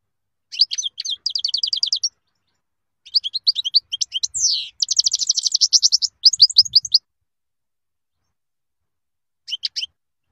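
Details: European goldfinch singing a lively, varied twittering song: fast trilled bursts of high tinkling notes, a buzzy rolled phrase in the middle, brief pauses between runs, and a final short burst after a silence.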